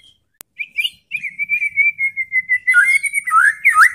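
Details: White-rumped shama from Indonesia, singing to provoke other shamas: a long sustained pure whistle held steady and slowly falling, followed by quick slurred notes and warbling at the close.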